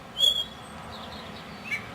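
Common Starling song: a clear, level whistle, then a few fainter slurred whistles and one short high note after a pause, in quiet surroundings.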